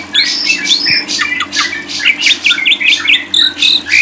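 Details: Lovebird song made of rapid high squeaks and buzzy chatter, then a series of quick repeated zigzag chirps, over a constant low hum.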